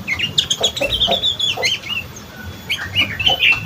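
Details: Sooty-headed bulbul, young, in ngriwik style: quick high chirps and slurred twittering notes tumble out in a fast, uneven stream with brief pauses, over a low background hum.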